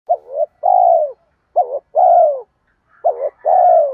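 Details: Spotted dove giving a provoking coo used to lure wild doves: three phrases, each a short wavering note then a longer, smooth, slightly falling coo, about a second apart, in a clean, quiet recording.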